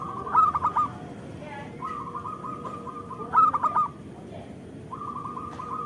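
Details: Zebra dove of a local Indonesian strain, recorded as a lure and therapy for doves: short bursts of quick staccato coos alternate with longer steady rolling notes, repeating twice.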